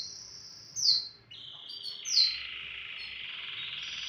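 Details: Canary singing in the morning: long sustained high trilled tones, with two sharp, loud downward-sliding notes standing out, then a steady, even rolling trill carrying through to the end.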